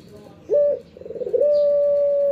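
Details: Pet Barbary dove in the morning: a brief rolling note, then a long steady mid-pitched coo that starts with a quick burr and holds level to the end. Faint high chirps from small birds in the background.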